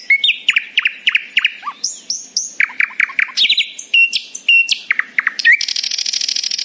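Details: Morning song of a nightingale, a rapid string of loud, sharp repeated notes changing pitch phrase by phrase and ending in a fast, buzzy, high trill.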